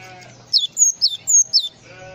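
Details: Full 'isian' song from a Java sparrow: five high, bright notes alternating between long level whistles and falling slurs, all within about a second, over a faint low hum.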